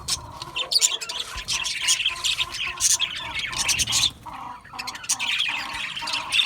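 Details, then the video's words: Budgerigar colony in an aviary, described as happy, giving dense overlapping high chirps and squawky warbles in bursts, with brief quieter gaps around four seconds. "Happy Budgies Sounds | Budgies Chirping Sounds"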